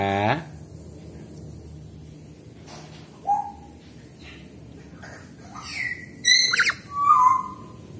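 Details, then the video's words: A pet Black-capped Lory taught to converse in question and answer replies to a brief human voice: a short falling whistle, then harsh, ringing squawks and a final warbled note. "Komunikasi dengan Burung nuri kepala hitam"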